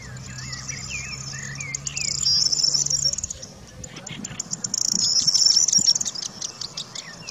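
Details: A woodchat shrike at Chekfa, Jijel, Algeria, gives a run of quick, scratchy warbled notes twisting up and down, nearly drowned by a shrill, pulsing insect buzz and a low hum early on.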